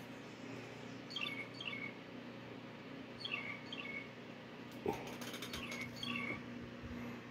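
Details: Several Blue Jays take turns coming from a bush to a window ledge for peanuts. One gives short pairs of high, downslurred notes every couple of seconds, then a trilling call, over a low steady hum with a few sharp taps and clicks.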